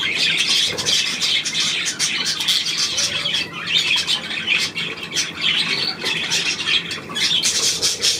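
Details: Steady budgerigar chattering recorded 9 February 2024, with harsh squawks mixed into rapid high twittering and a few clearer whistled notes, continuous and overlapping.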